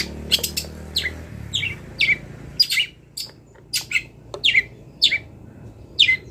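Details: Wild long-tailed shrike recorded to train songbirds, delivering a string of short scratchy notes, many slurring downward, spaced about half a second apart; a low hum fades early on.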